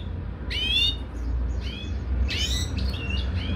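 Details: European goldfinch mating in a cage, giving a few scattered bright, slurred twittering notes with a soft pause between them, set against a low continuous hum.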